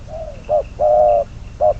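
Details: Decoy spotted dove, bird number 22, kept for trapping, gives a brief run of low cooing notes: a fading slurred coo, a short hoot, one long level coo, then another short hoot, with a faint high hum behind.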